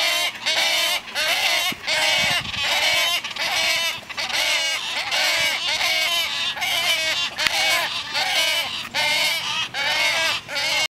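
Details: Young wood storks beg their mother for food, a loud, nasal, honking clamor of rough overlapping calls repeated about once a second without a break.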